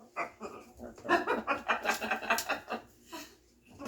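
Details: Pet macaw talking, randomly repeating a conversation overheard about two months earlier: a run of raspy, speech-like syllables in an uneven rhythm, several louder bursts in the middle, then trailing off.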